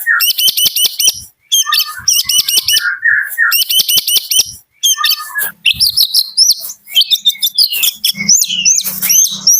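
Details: White-rumped shama of the Medan type singing in the morning: varied phrases of sharp high trills, rapid clicking notes and rich whistles, shifting between patterns with short pauses between them.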